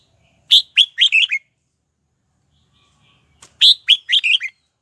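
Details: Singing red-whiskered bulbul lure, meant to draw wild birds in to fight: two identical phrases of five crisp whistled notes, strong first note then a lilting descending run, separated by roughly three seconds of silence with one faint click.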